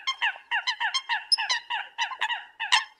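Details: Eurasian coots calling the flock with even, rapid honking notes, about three or four per second, each nasal and slightly falling, plus a couple of faint high squeaks.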